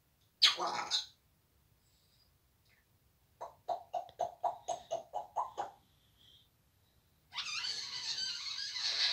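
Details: African grey parrot, very vocal indoors and swearing, gives a harsh burst, then a staccato run of about ten short voiced syllables, then a long raspy noisy outburst.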